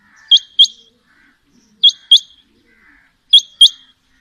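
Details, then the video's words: Quail (batair) calling: pairs of thin, high, upslurred chirps, the pair repeated about every one and a half seconds against near silence. "Female Batair Calling | Male Batair Sounds | Mix Calling| Batair Ki Awaz | Batair Ki lambi Awazay"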